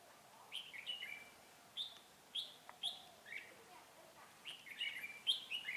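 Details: {'caption': 'Red-whiskered bulbul during a trapping session on 12 February 2017: short, bright whistled phrases, warbling and slightly rolling, come in bursts of two to four notes, with thin high chevron-shaped notes from another bird above.'}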